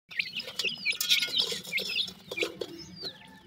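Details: Grey francolin chicks giving thin, high peeping calls: short upslurred and downslurred whistles in quick irregular bursts, several chicks overlapping, with faint low hum behind.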